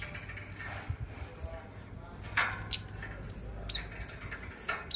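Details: Tame kept flowerpecker, singing actively, repeating sharp, very high downslurred tsip notes roughly every half second, with brief pauses and a faint low background hum.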